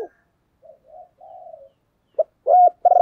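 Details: Decoy spotted dove calling to lure others: faint, low murmuring notes, then a short sharp note and two loud, strong coos at the close.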